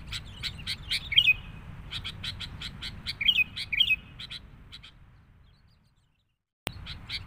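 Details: Noisy sooty-headed bulbul lure call meant to draw in bulbuls: bursts of quick, high, clicking chirps with short sweet whistles that fade out, then a brief silence and a sudden click.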